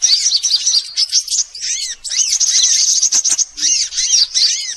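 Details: Various sunbirds as a bird-luring sound: high rapid twittering, then clear series of arching chirps repeated in short runs, with a few click-like ticks.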